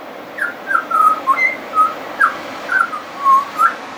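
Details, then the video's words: Friendly pied butcherbird singing at length, a mimic: clear fluting whistles around mid pitch, short slurred notes rising and falling, about nine phrases in four seconds with brief gaps, faint high clicks above. "Pied Butcherbird wouldn't shut up"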